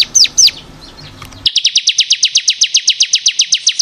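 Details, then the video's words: Caged bar-winged prinia, ciblek kristal, on a masteran training recording for songbirds: two sharp high chirps, a pause, then a fast even trill of downslurred high notes, about four per second. "SUARA BURUNG CIKRIS | CIBLEK KRISTAL GACOR"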